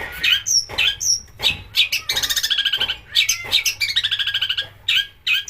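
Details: Long-tailed shrike, heard to spur other birds to sing, mixing rough scratchy notes with rapid buzzy trills and brief clear whistles, against a faint low hum.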